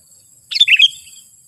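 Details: Sooty-headed bulbul lure call meant to provoke wild bulbuls to answer and approach: a quick, bubbly burst of three or four bright chirps over a steady high-pitched background hum.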